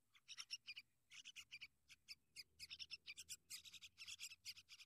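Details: Sooty-headed bulbul protecting and caring for its young: dense runs of harsh, broadband rasping notes in quick uneven bursts, some notes doubled, continuing for about five seconds with hardly a pause.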